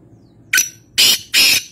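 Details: Kala teeter, the black francolin, recorded at Nawabshah, Pakistan, giving a loud, high-pitched scratchy call: one short clipped note, then two longer harsh rasping notes in quick succession.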